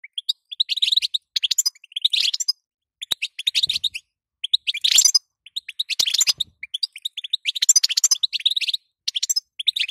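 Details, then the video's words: Calls of a female European goldfinch, the sitsita and batbata played to make males sing: rapid, liquid twittering in tight bursts, bright high chirps and short buzzy notes, almost continuous across the recording. "ستسته وبتبته تخلي حسونك نار"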